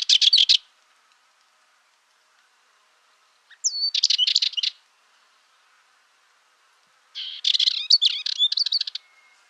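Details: Dartford warbler singing three brief rattling, scratchy phrases, each under two seconds and spaced about three seconds apart. The last phrase is longer and laced with thin whistled slurs. Quiet between bursts.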